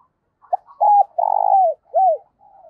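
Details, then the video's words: Decoy spotted dove cooing in the morning to call its flock; a soft lead-in note followed by a rhythmic series of mellow, hollow coos, the middle one longer and slightly pulsing, ending on a falling note. "Chim Cu Mồi gáy gọi bầy buổi sáng"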